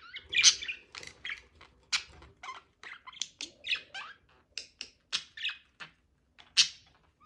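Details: Mating budgies produce clipped, separate chirps and harsh squawks, irregular staccato notes spaced by short silences, with a loud burst at the start and another near six and a half seconds.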